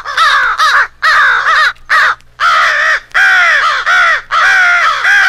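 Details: American crows rallying against an owl, compiled for crow hunting: longer drawn-out hoarse caws, several birds at once, in slower blocks separated by clear pauses.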